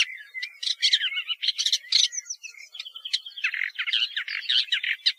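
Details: Woodchat shrike warbling a varied phrase of gliding whistles and squeaky notes mixed with harsh chatters, turning to buzzy, rattling notes toward the end.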